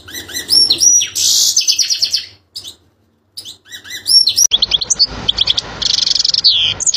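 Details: European goldfinch singing, a recording meant for teaching young birds: dense twittering with buzzy bursts and upward-sweeping whistles, a short silence, then a louder busy stretch over a rough background noise.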